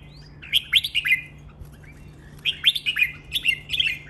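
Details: Red-whiskered bulbul performing a training song in len rik, nap dok, mae bot and lak wai styles: two repeated phrases of four to five bright, jerky whistles, with a low hum behind.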